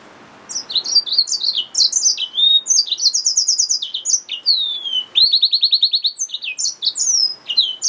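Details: Yellow-fronted canary mule, a hybrid finch, singing a fast varied song of high chirps and slurred notes, with a run of rapid repeated downward-sweeping notes in the middle and sharp twittering phrases throughout.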